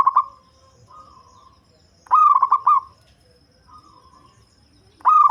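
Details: Local zebra dove with a deep voice, kept as a lure for catching birds: a soft drawn prelude, then a loud stuttering burst of rapid pulsed coos, repeated twice within five seconds, with faint quiet background.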